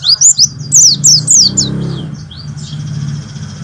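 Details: Warbling white-eye (pleci) in 'nembak' style tutor song for training birds, a quick burst of high, thin, downslurred chirps over a steady low hum, then a fainter high trill.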